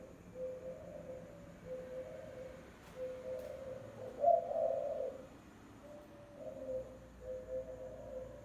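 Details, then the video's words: Spotted dove lure call: a run of soft, low repeated coos about every one and a half seconds, with one louder husky phrase with a bright accented opening in the middle. "TIẾNG CHIM CU GÁY MỒI CHUẨN CỰC HAY"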